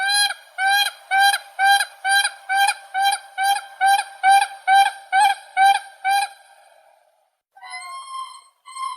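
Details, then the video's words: Crane calling in a steady series of about a dozen clear, ringing, harmonic notes, evenly spaced around twice per second, fading out and then followed by a few softer, higher, drawn-out calls. "Голоса птиц как поёт Журавль (Grus)"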